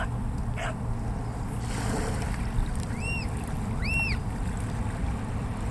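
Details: Black oystercatcher preening at Pillar Point Harbor gives two sharp, arched whistled notes about a second apart, over a steady low rumble of engine and lapping water.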